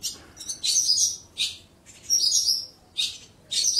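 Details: A caged lark kept at a bird keeper's home sings bright, buzzy trills and chirps high in pitch, in bursts about a second long with short gaps between.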